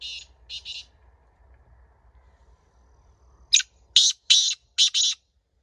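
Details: Wild black francolin calling from the wall of an empty house in jungle near a village, with the men's own captive francolin nearby: two quick harsh, grating high notes, a pause, then four loud scratchy bursts, over a low rumble.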